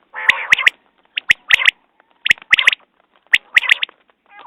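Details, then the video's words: Short bursts of three snappy notes from a common quail, repeated at irregular intervals of about a second, over a quiet background with a few faint chirps. "Batair Ki Awaz New Quail sounds 2019"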